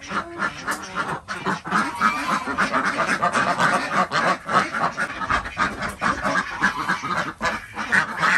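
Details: Loud, continuous quacking from Desi ducks on a village farm in Andhra Pradesh as eggs are collected in the morning: nasal calls tumble over one another at a fast, irregular pace.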